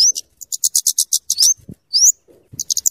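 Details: Scarlet-headed flowerpecker, called cabe cabean or kemade, song used for luring and tutoring: rapid evenly spaced high ticks, a long rising slurred whistle, then another quick burst of ticking, with faint low knocks.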